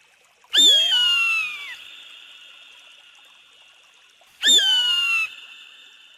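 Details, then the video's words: Eagle giving two long, piercing screams several seconds apart, each starting with a sharp rising onset and then sliding slowly downward in pitch, resonant and shrill. "¡Escucha el grito del AGUILA!"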